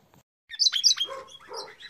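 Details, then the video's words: Red-rumped parrot song used to stimulate a male and female to mate: after a brief quiet, bright high chirps and whistled notes, then a lower, softer warbling stretch. "تغريد الريدرامب لتحفيز الانثى والذكر على التزاوج"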